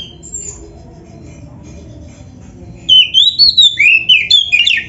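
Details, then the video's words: Oriental magpie-robin in rich gacor isian song: near quiet at first, then a quick run of looping, bending whistles, rising and falling, sung about eight times. "SUARA BURUNG KACER GACOR ISIAN"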